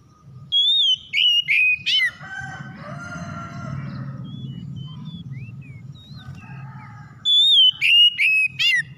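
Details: Oriental magpie-robin lure song to stir another magpie-robin into singing: whistled phrases with buzzy rattles open and close the stretch. In between come a scratchy chatter and a few thin scattered whistles over a low rumble.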